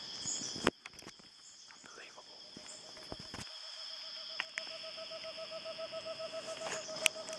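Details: A Cinnamon screech owl (Megascops petersoni), recorded at San Vicente de Chucurí in Colombia's Eastern Andes in June 2013, gives a low, rapid hooting trill of evenly spaced notes that swells toward the end, over a steady high insect drone and a few clicks.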